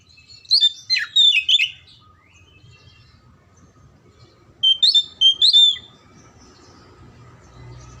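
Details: Oriental magpie-robin song played to get silent or lazy birds singing: two bursts of rapid varied whistles and chirps about four seconds apart, with a quiet gap between and a low hum throughout.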